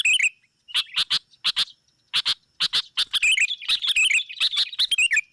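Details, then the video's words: Sooty-headed bulbul calling to attract rivals, a lure recording: pairs of sharp clipped chips separated by short silences, building into a continuous bubbling, wavering chatter toward the end. "SUARA AMPUH PIKAT GACOR MEMANGGIL LAWAN"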